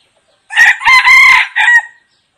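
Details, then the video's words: A red junglefowl gives one loud, harsh crow in four quick, clipped parts over about a second and a half, ending abruptly; no other sounds are heard. "เสียง ไก่ต่อ ไก่ป่า ไก่ตั้ง"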